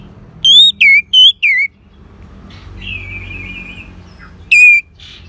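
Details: Orange-headed thrush, used as a therapy recording to get a silent bird singing: four loud, clear, down-slurred whistles, a quieter fluttering trill, then one more strong whistle, with a faint low hum behind.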